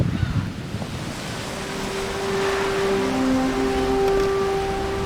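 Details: Sea waves and wind rumble along a remote island coast, with a steady low engine hum and faint higher tones over the surf; no animal calls are heard.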